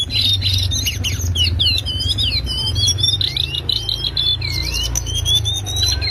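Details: Loud 'ngriwik' song of a lesser shortwing (cingcoang coklat, jongkangan), a master recording for training songbirds: continuous fast, high, squeaky warbling with rising and falling whistled slurs, against constant low-pitched background hum.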